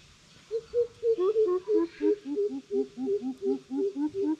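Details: Greater coucals in a challenge bout: two overlapping series of deep, resonant hoots, one slightly higher than the other. The rapid booming notes interleave and run steadily for about four seconds.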